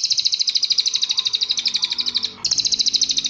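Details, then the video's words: Master song of a cililin for teaching caged birds: a dense, high, rattling trill of quick even pulses, briefly dipping and breaking before restarting just as fast and loud. "SUARA BURUNG - Masteran Terbaik Cililin"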